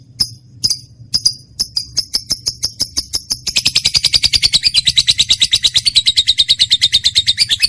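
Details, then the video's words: Lovebird song from a trained bird: sharp, high chirps spaced apart at first, then quickening into a dense, fast, shrill chatter that runs on without pause. "lovebird mp3 cocok buat pancingan burung kesayangan"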